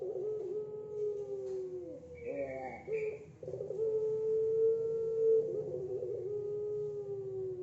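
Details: Captive zebra dove at a bird farm in Sleman, Yogyakarta, Indonesia, practising a long, relaxed, flowing song type: sustained, steady mid-pitched cooing tones held for several seconds, with a brief wavering break in the middle, in a quiet indoor setting.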